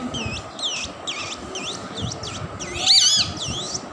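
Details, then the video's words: Tamed two-year-old male plum-headed parakeet, a talking pet, makes a series of about eight quick twisting chirps, repeated every half second, over a steady background hum. "Talking Plum Headed Parrot"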